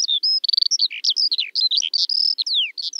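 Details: Skylark in full song, a dense jumble of short chirps, buzzy trills, a held whistle and a long falling slur, all very high and fast.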